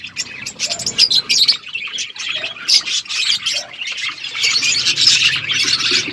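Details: Parrots chirping while feeding, February 25, 2024: bursts of rapid, high, scratchy chirps come in waves, growing denser and louder toward the end.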